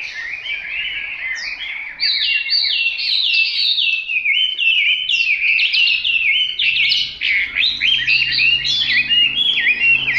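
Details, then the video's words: Selected Hwamei singing a rich, continuous stream of rapid whistled and warbled notes, phrases tumbling up and down without a break for ten seconds. "Họa mi tuyển chọn"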